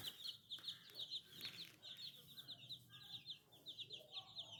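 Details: Many young chicks in Sadiqabad, Punjab, peep at once: high, thin, rapidly repeated chirps overlapping in a steady stream, with a few softer, lower clucks underneath.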